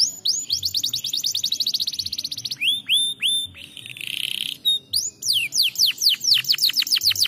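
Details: Song of a canary meant to spur lazy canaries into singing: a rapid whistled trill, falling slurred notes, a brief buzzy note, then quick repeated downward-sweeping whistles.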